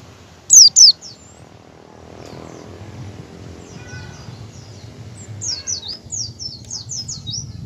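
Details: Oriental white-eye ngecal calling while learning ngalas, played to get other white-eyes to open their beaks: a loud pair of falling whistles, then a quieter, rapid series of short down-slurred chirps and a few lower tones, with low rumble.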